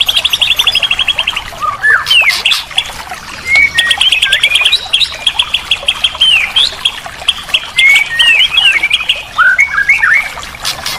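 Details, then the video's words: White-rumped shama song from a therapy recording meant to get a silent bird singing again: flowing whistled phrases with rising and falling slurs, broken by fast high buzzy trills and steady background chatter. "Masteran Terapi murai batu mogok bunyi"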